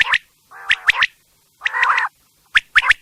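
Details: Quail calling at night: broad nasal, buzzy notes with rich harmonics alternate with sharp chirps, repeated about once a second, with silence between bursts.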